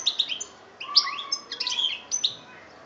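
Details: European goldfinch in Algeria, 2013, giving short bursts of high tinkling chirps and twitters, with a faint lower sustained tone in between phrases.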